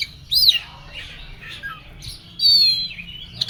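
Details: Oriental magpie-robin, described as agitated, gives a loud arched whistle, soft scratchy notes, then a long, level, strained whistle near the end.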